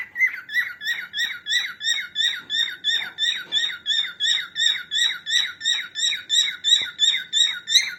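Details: Female cockatiel, recorded for training cockatiels, gives a fast steady string of identical short chirps, about three each second, continuing for eight seconds without a break.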